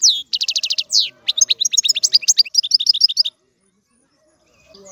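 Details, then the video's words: Singing European goldfinch delivering a rapid, high, tinkling warble with a rolling trill and quick chattering phrases for about three seconds, followed by quiet. "الحسون - هذا الطائر يغني. بأجمل صوت موجود في البرية"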